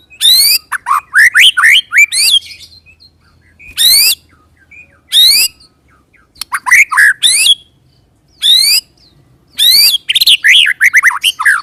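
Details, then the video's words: White-rumped shama on a 'roll tembak' lure recording mixes harsh rasping bursts with clusters of rapid slurred whistles and squeaky notes, all in irregular phrases. "pancing murai dengan roll tembak ini murai batu manapun akan respon bunyi ngerol"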